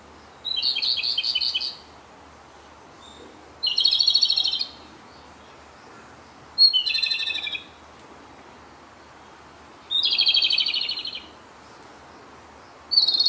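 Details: Repeated song from a Japanese robin in a dark spot, sung on its sixth and final day at the site: five brief rattling trills delivered about every three seconds, each with a high lead-in note.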